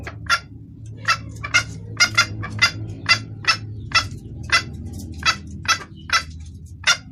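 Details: Female red junglefowl calling the male, a clear lure call: brisk, clipped clucks, several in quick pairs, repeated irregularly through the clip over a low hum.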